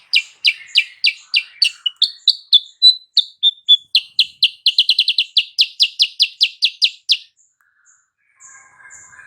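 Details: Lure song of a sooty-headed bulbul meant to trigger an instant reply from a rival: a long, fast run of some thirty sharp, high chirps that briefly slows and drops, then speeds up again before stopping.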